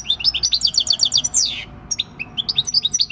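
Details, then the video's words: Six-year-old wild-caught European goldfinch, 26 December 2019, singing "El Carbonero" field song: a dense rattling trill that falls away, then a short pause and further bright twittered notes. "Jilguero campero "EL CARBONERO" / Chant du chardonneret / Goldfinch song"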